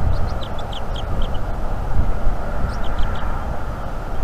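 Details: Young female bald eagle on a North East Florida nest cam, morning of 17 March 2021, chirping for food: a quick run of short, high chirps in two bursts over steady low wind rumble.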